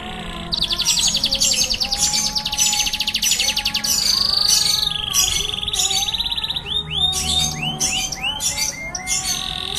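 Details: Canary singing in a roll tembak style: rapid, dense high trills and buzzy rolled phrases that change every second or two, ending in a series of quick descending slurred notes. Faint, steady lower whistled tones sound in the background.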